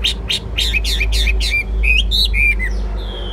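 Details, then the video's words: Chinese hwamei kept in a cage, praised for its good voice and fighting spirit. Quick burst of repeated chirpy notes gives way to clear slurred whistles over a steady low rumble of background noise. "Hót tốt, Đấu tốt. Siêng mỏ, giọng hay"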